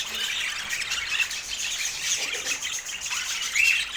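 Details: Pet budgerigars chattering: a dense, continuous mass of high squeaky chirps and warbles, with a brief clear whistled note near the middle and another rising whistle toward the end.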